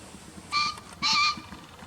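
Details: Two-part green pheasant call, a brief raucous note then a fuller drawn-out one, bright and nasal with layered harmonics, inserted from a field-guide recording against faint background noise.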